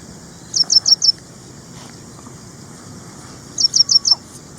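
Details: Two bursts of four rapid, high, thin chirps from an ashy prinia in India, spaced about three seconds apart, over faint rural background noise.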